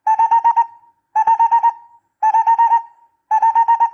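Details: Barbet calls used as a decoy: four evenly spaced bursts of about five rapid mellow hoots, each burst fading into a short drawn-out tone, repeated roughly once a second.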